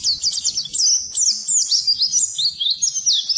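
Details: Oriental white-eye song meant to coax silent birds into singing, a continuous fast high-pitched warble of slurred, tumbling whistled notes with scratchy chirps woven through.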